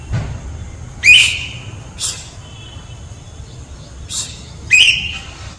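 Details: White parrot calling: two loud whistles with harsh starts and trailing steady tones near the first and fifth seconds, plus two shorter rasping bursts between them, over faint background hum.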